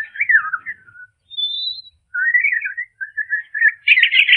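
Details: Song of a European robin played at half speed, with a chaffinch joining in: several warbling whistled phrases separated by short pauses, a lone high pure note in the middle, and a denser, brighter burst at the end.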